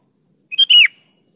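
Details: Actively singing sooty-headed bulbul (kutilang), used as a lure so reluctant birds answer: one brief, loud phrase, a short note followed by a slurred whistle that falls at the end, in quiet surroundings.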